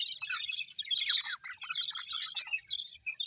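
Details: Happy pet budgies chirp and warble, short bright squeaks and twittering phrases overlapping from several birds, fairly loud and close.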